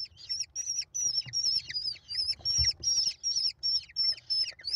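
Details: Nestling American kestrels, a brood of five, begging while their mother feeds them on 28 May 2021; loud, high, shrill squealing notes in steady pulsed bursts, roughly three per second, each with a drooping tail.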